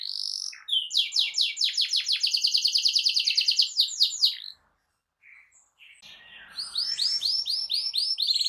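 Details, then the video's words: Canary with a strong, loud song for goading other canaries to reply: a fast run of repeated sweeping notes, a brief silence, then another burst of swooping syllables. "GAK LAMA BAKAL NYAUT EMOSI KENARIMU DENGAN SUARA KICAU KERAS AMPUH KENARI INI"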